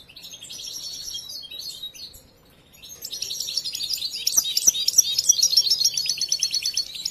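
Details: A hand-raised young European goldfinch not yet finished with its song training gives bursts of bright, rapid twittering, breaks off briefly, then resumes with louder tinkling trills and repeated sharp notes; faint clicks underneath.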